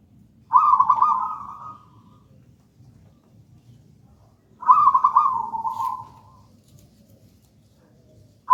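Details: Local wild zebra dove of gedang rojo style singing as lure and master song: two loud stuttered coo phrases, each trailing into a softer drawn note, about four seconds apart, with low hum between.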